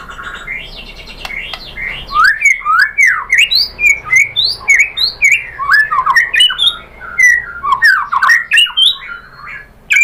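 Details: Murai batu, the white-rumped shama, singing to provoke other birds into answering and singing: after a quiet start, a dense run of loud slurred whistles, rising and falling sweeps and chattering notes, roughly three to four per second.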